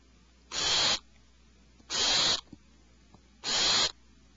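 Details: Three loud, hissing screeches come from owlets alarmed in their nest cavity. They are roughly one and a half seconds apart, with faint clicks in between.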